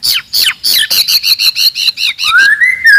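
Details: Forest-dwelling white-rumped shama, loud and aggressive to provoke rivals, delivering a rapid series of about ten sharp downslurred chirps, then one long clear whistle rising and falling at the end.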